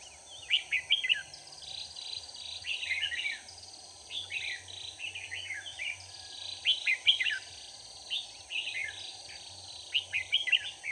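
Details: During a trapping session on 4 March 2019, a red-whiskered bulbul decoy delivers near-continuous lively chattering phrases, quick warbled and slurred notes tumbling in rapid succession, against a persistent high electrical-sounding whine.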